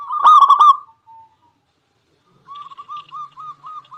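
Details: Zebra dove, local type, cooing to provoke rivals: one loud rapid rolling burst, a pause, then a series of lighter, slightly rising coo notes at a steady pace.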